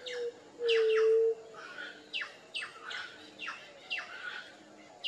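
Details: Low, smooth, even hoot of a white-tipped dove (juriti-pupu, Leptotila verreauxi), held for under a second after a brief first note, while other birds keep up quick, falling chirps in the background.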